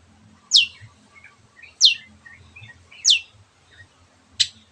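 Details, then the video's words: Long-tailed shrike in energetic voice, giving single sharp, high, downward-slurred notes roughly every 1.3 seconds, with soft chattering twitters between them and faint low background rumble. "Cendet Gacorrrr"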